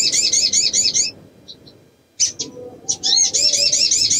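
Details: Breeding female little spiderhunter luring males with rapid series of high, twangy repeated notes, broken by a short pause with a few scattered chirps before the fast run resumes; faint low rumble underneath.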